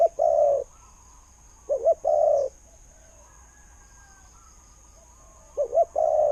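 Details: Spotted dove decoy with a good khu-ang voice, said to lure wild birds in. Three slow low coos are heard, each opening with a doubled short note and ending in a sustained mellow tone, separated by quiet pauses.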